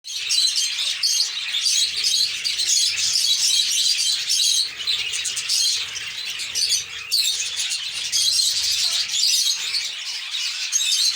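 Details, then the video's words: A lovebird colony in the season for eggs and chicks: dense, continuous high shrill chirping and twittering from many birds at once, steady throughout with brief dips in loudness. "love birds colony"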